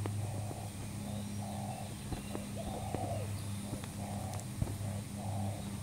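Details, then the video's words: Spotted dove lure call from a new bird: blurred, buzzy low cooing blocks repeated roughly every second, with scattered clicks and faint distant bird notes. "pikat terkukur burung baru"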